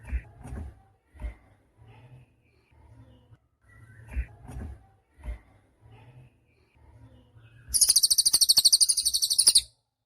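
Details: Cililin, recorded as a tutor for songbirds: after several seconds of scattered knocks and soft thuds, a loud, very high buzzy trill of quick regular pulses runs for about two seconds.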